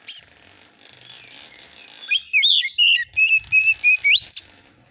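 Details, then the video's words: Oriental magpie-robin lure recording in the konslet fill-note style, played to provoke other birds into answering: after a hissy opening, about ten crisp whistled notes follow at a steady quick pace, ending in an upward sweep. "KACER AUTO NYAUT EMOSI KONSLET masteran burung kacer nembak isian"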